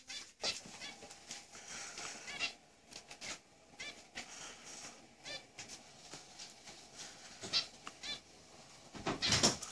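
Zebra finch giving short, nasal, buzzy notes in quick irregular bursts, like tiny squeaky toy honks.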